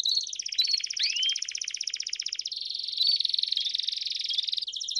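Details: Canaries, Belgian canary type, several singing together to stimulate singing; dense high rolling trills with fast repeated notes, a few rising slurred whistles, shifting to a smoother sustained buzzy roll midway.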